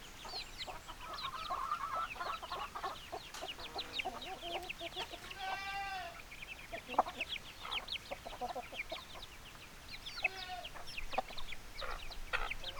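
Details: Backyard chickens clucking and chattering continuously, several birds overlapping, with a few buzzy rasping calls standing out against background hiss.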